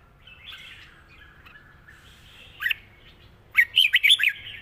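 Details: Red-whiskered bulbul singing a long song with 'rik' notes. Faint, soft warbling leads into one short whistled note, then a closing burst of loud, rapid, bouncing notes.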